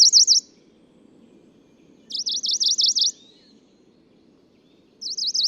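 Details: Male Tokara leaf warbler singing on Nakanoshima in Japan's Tokara Islands, June 2017: short bursts of about five to eight rapid, high, wavering notes, with a pause of roughly two seconds between bursts, over a faint low hum.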